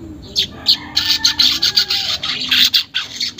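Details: Weaver song, unedited, played as a lure to prompt caged weavers to start singing: bursts of harsh, buzzy, high chattering notes, short phrases repeated several times a second, steadier toward the end.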